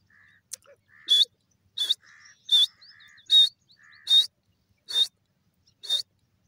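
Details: Grey francolin (teetar) calling loudly: a short lower note followed by a harsh, higher burst, the two-part phrase repeated about seven times at under one-second intervals against a quiet background.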